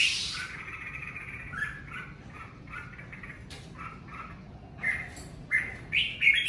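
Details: Red-whiskered bulbul song from the covid season: short whistled phrases repeated every second or so, some notes slurred upward, ending in louder sharp chirping notes, over a steady low rumble and a brief noisy hiss at the start.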